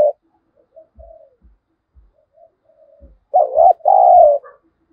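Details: Spotted dove used as a lure bird to provoke wild doves to fight; a soft faint coo followed by a louder two-part cooing phrase, low and throaty, near the end.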